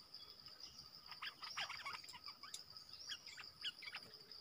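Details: Streaked bulbul in the wild, one of a family group attracted by a lure, uttering quick rattling runs of bright chirps mid-clip, then scattered single notes, with constant shrill insect buzzing behind.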